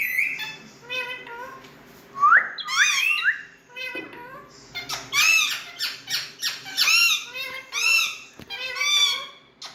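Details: Rose-ringed parakeet kept at home, talking indoors in a small room: squeaky, speech-like harmonic phrases and rising whistled syllables in quick bursts, with a loud rising squawk near the middle and brief pauses between phrases.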